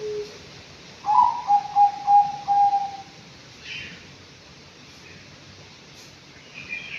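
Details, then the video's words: Anggungan, a five-month-old bird kept in an aviary, calls a short run of five or six quick whistled notes at an even pitch, then falls quiet apart from faint chirps. "BURUNG ANGGUNGAN USIA 5 BULAN"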